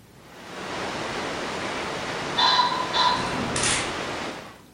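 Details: Wild male ring-necked pheasant, partly hidden behind a maple branch, gives a territorial crow, raising his head as it builds: a loud, harsh two-note call followed by a brief burst of wing-whirring, over steady wind hiss.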